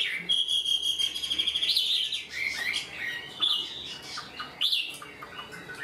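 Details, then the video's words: Singing like a trained bird, an unrefined captive Chinese hwamei opens with a long sustained whistle. It then gives varied slurred phrases and sharp rising notes, loud and clear, separated by short pauses. "Họa mi mộc mau mỏ hót bài bản như chim thuần"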